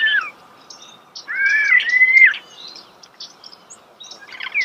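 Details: Close starling song with a pair of loud, slurred whistles that rise and then level off. Soft chips and squeaks are scattered around them.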